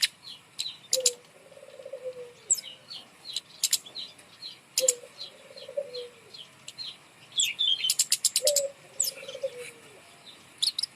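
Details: Caged bird's song used as a lure for reluctant singers: high flicking chirps and rattling bursts, interrupted every few seconds by a lower, drawn-out buzzy whistle that falls at the end.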